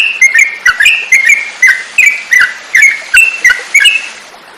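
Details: Yellow-vented bulbul (trucukan), a song used as a tutor recording for training other songbirds: a brisk series of short, bright chirped notes with quick downward slurs, about twelve bursts in under five seconds, clear over a faint background hiss.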